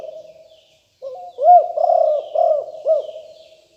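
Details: Spotted dove of the Liu Tan strain, recorded in 2021 as a lure sound to draw in wild doves. A soft introductory note, then four deep, rounded coos in quick succession.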